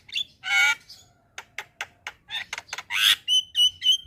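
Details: Javan myna (jalak kebo) in energetic song: a harsh, raspy squawk, then a quick series of sharp clicks and rasping notes, ending in repeated short whistled notes.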